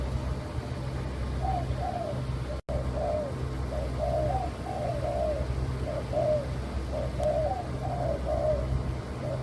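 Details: Leopard-coloured white spotted dove coos repeatedly, mellow paired and tripled notes recurring about once a second, over a heavy continuous low-pitched rumble, broken once by a short gap.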